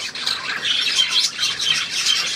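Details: Squeaky, rapid budgerigar warbling from several birds at once, a continuous chattering wash of high chirps and buzzy trills.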